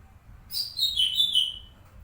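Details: Master song of a white-rumped shama for training other birds: one clear, high whistled phrase sliding gently downward over about a second, ringing and pure, with a quiet low hum behind.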